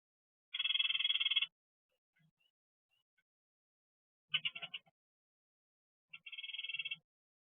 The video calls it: bird that sounds like a weed whacker